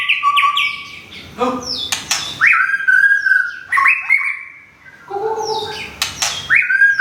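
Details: Thai white-rumped shama of Thung Song type, nearly through its moult after a recent move, singing melodious whistled phrases with long level notes, downward-stepping trills and sharp upslurs, brief pauses between phrases.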